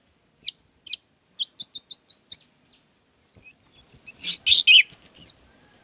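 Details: Orange-headed thrush, recorded as a lure to coax a silent kept bird into song: scattered sharp chips speeding into a brief run, a pause, then a dense burst of rich varied warbling.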